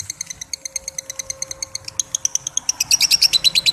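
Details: Lovebird 'ngekek panjang' long chatter, used for training young lovebirds: a fast, even stream of sharp high chirps, growing louder and shriller after about three seconds, over a faint steady low hum.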